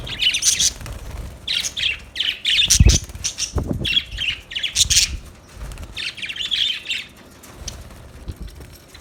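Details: Budgerigars chirping in bursts of high, raspy warbling notes, mixed with low thumps and rustling in the first half, tailing off into quieter, fainter chirps.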